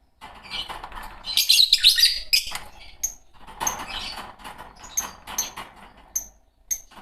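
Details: A pair of green Fischer's lovebirds giving a dense rasping chatter early on, then scattered sharp, high, clipped tweets repeated at irregular short intervals.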